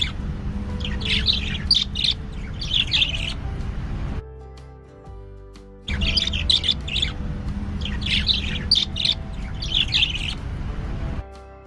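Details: Pet budgerigar chirping in quick, scratchy bursts of high warbled notes over background music, very vocal after being given a bath in its cage in warm weather after winter.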